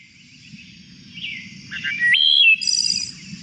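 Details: Playback of one wood thrush singing two different songs at the same time, one from each side of its syrinx; fluted whistled notes jumping between pitches, ending in a high buzzy trill, over a low rumble of background noise.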